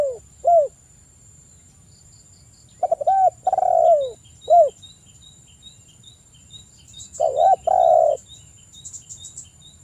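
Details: Spotted dove singing actively as a lure to call a rival: scattered low cooing phrases, short arched coos and a longer two-part coo with a descending tail, separated by pauses. Faint high ticking insects and a steady thin high whine run throughout.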